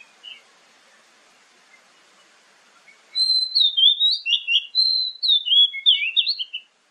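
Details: Lure song of an Oriental magpie-robin, meant to make other magpie-robins answer in the morning and evening. Faint distant whistles give way to a loud, rapid burst of varied high whistled and twisting notes.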